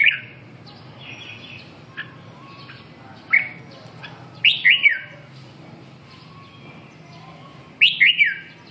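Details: Red-whiskered bulbul song of clear, chirpy whistled phrases, rising then dropping, in bursts spaced a few seconds apart with softer notes between, over a faint low hum.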